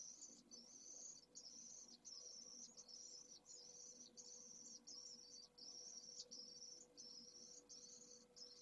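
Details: Pallid swift chick just hours old, second clutch, begging for its first meals in a nest at Esclavas de Jerez, Jerez de la Frontera. Softer, high buzzy hisses run in a rapid, almost continuous series over a low hum.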